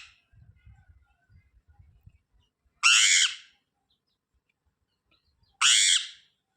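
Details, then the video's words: Two short, harsh, screechy squawks from a parrot, nearly three seconds apart, after a stretch of faint low knocking sounds; otherwise quiet. "Natural Parrot Sounds"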